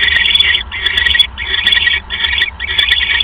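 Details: Owl at the nest at the time of a mouse delivery, 6:33 PM, 1 January 2015. Raspy hissing bursts repeat quickly, about one every half second, with light ticking sounds.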